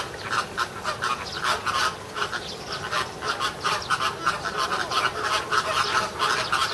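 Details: American flamingos in a group at Ueno Zoo, filmed June 2016, appearing to argue with each other: rapid, rhythmic duck-like honks repeated several times a second in quick clusters, a steady clamour of many birds calling together.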